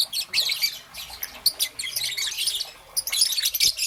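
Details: Young peach-faced lovebird, green and yellow, kept as a pet, chirping in the morning: harsh, high, scratchy squeaks in uneven bursts, with a few sharp clicks between them.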